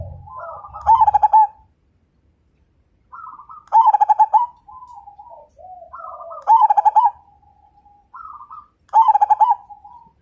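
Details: Majapahit-line zebra dove, a strong, vigorous singer said to set other birds singing; four cooing phrases, each a soft rising intro then a fast series of resonant pulsed coos, repeated roughly every three seconds in a quiet setting.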